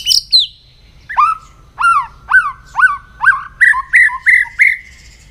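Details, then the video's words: Morning voice-training song of a White-rumped shama: after two high notes, a series of about ten mellow whistled notes, each dipping then rising, repeated roughly every half second and quickening toward the end. "chòe lửa hót sáng luyện giọng chòe lửa hót"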